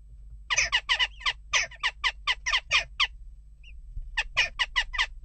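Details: Western jackdaws restless at their nest box, giving a steady stream of short raspy calls about four per second, broken by one brief pause before the series resumes.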